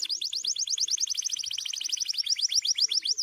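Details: A white canary, hopping on dry stalks, sings a fast, high trill of bright chirped notes, about ten a second, that shifts into sweeping slurred notes near the end.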